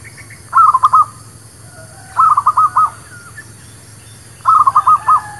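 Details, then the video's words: Zebra dove (local merbuk kampung or perkutut lokal) song used as a lure for trapping and for new birds: three bursts of rapid, staccato cooing notes at mid pitch, each about half a second long and spaced nearly two seconds apart, over a low steady hum. "SUARA PANCINGAN MERBUK KAMPUNG / PERKUTUT LOKAL...UNTUK PIKAT DAN BURUNG BARU"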